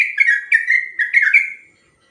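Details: Sooty-headed bulbul giving a long, rapid 'ropel panjang' training song for other birds: bubbly, slurred whistled phrases in quick bursts, each rising then falling, three phrases then silence.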